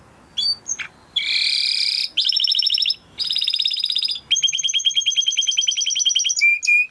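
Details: Timbrado canary song used for training: short chirps, then sustained buzzy rolls in separate blocks, ending with a fast, even trill of rapid notes and a few high, clipped whistles.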